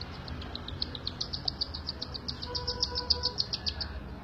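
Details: Cockatiel chicks fed by their mother keep up a steady, fast train of short, high-pitched ticking peeps, roughly three to four per second, with a faint tone in the background.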